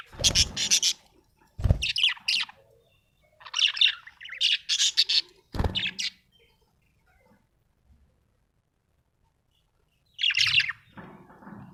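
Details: Happy budgie chattering in several short, raspy warbled bursts with brief gaps, a long quiet stretch, then one last scratchy phrase.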